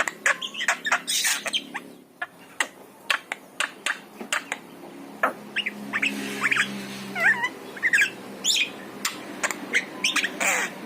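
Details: Yellow-eyed Javan myna mixing rasping squawks, sharp clicks and short twisting whistles, some mewing in tone, in an irregular busy stream, used to lure a pet myna into song.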